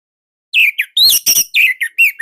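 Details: Orange-headed thrush from Indonesia, a hobby bird singing nonstop in a loud, tight, unusual style used as a tutor song. Short bursts of clear whistles and slurred notes, some falling, with a dry buzzy phrase in the middle.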